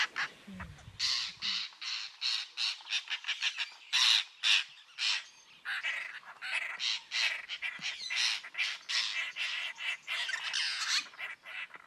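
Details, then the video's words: An African Lilac-breasted Roller gives harsh, rasping squawks, repeated rapidly in rough bursts throughout, with a brief low thump near the start. "Le cri du Rollier à longs brins | Lilac-breasted Roller Bird Call"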